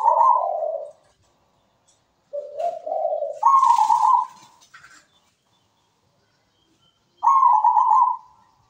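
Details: Zebra dove in melodious song. Three purring, trilled coo phrases are separated by pauses of one to two seconds, each starting low and stepping up to a higher, sustained bubbling note.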